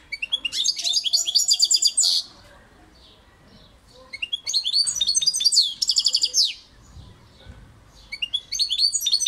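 A European goldfinch sings three bursts of bright, tinkling, rapid twittering, each about two seconds long and separated by short pauses; a faint low hum runs beneath.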